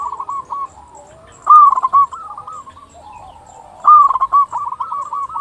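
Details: Zebra dove of a local type, a persistent singer, heard in a lure recording for zebra doves. Two strong trilling coo phrases each open on a clear high note, with quieter rippling coos running between them.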